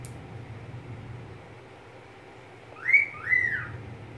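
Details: Near the end, a pet budgerigar gives one paired whistle, two arched slurred notes half a second apart, after a stretch of low background hum.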